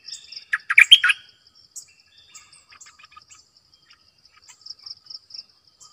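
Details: Decoy bird, a bulbul, delivers one fast run of liquid, gurgling notes lasting under a second, followed by scattered soft chips over a constant shrill insect drone.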